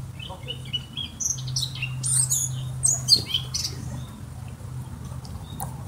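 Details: Eurasian blackcap giving a jumbled run of high, squeaky, warbling notes, loudest around the middle, with a steady low hum in the background.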